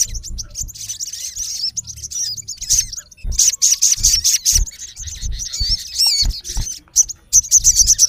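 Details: Male olive-backed sunbird calling a rival with loud, high, twisting chirps and trills in quick bursts, sharp slurred notes packed closely, separated by short gaps, with faint low thumps.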